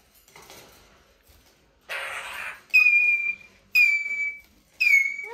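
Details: Plaintive squeaking from a Eurasian jay: a breathy rustling burst, then three loud, piercing whistled squeals, each falling slightly in pitch.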